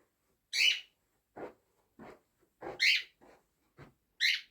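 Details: A concerned pet cockatiel gives loud, shrill, slightly rising screeches, summoning its family to come down. It settles, seemingly content, once they arrive.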